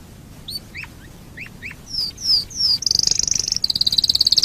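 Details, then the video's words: Domestic canary song used as a lure for other canaries: hooked chirps, descending high slurred whistles, then very high fast-pulsed trills at the end. "Pancingan burung kenari super ampuh"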